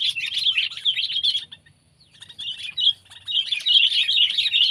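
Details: Sooty-headed bulbul, pet or wild: dense, lively twittering chatter that stops briefly in the middle, then resumes louder with quick, overlapping chirps.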